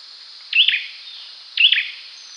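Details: Olive-backed sunbird, known locally as cinenen jawa, giving two sharp chirped notes about a second apart, each a quick high twist followed by a buzzy tail, against a steady high background hiss.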